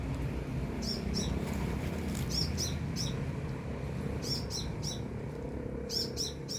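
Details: Sunbird singing at a distance: high, bright chirps in bunches of two to four, repeated several times over a noisy low-pitched background.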